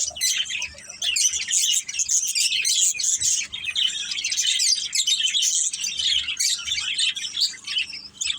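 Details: Pet budgerigars in a family flock keep up a continuous, lively twittering: high, rapid chirps and warbles layered densely throughout with no real silence.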